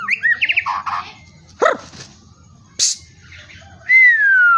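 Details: White-rumped shama in full, vigorous song: quick trilled phrases, a sharp swooping note, a brief harsh burst, then one long, clear, steady whistle held to the end.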